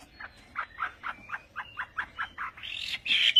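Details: Chinese hwamei (họa mi tây), Vietnamese song style: a fairly quiet series of short, buzzy repeated notes, roughly four per second, ending in a harsher, louder rasping burst.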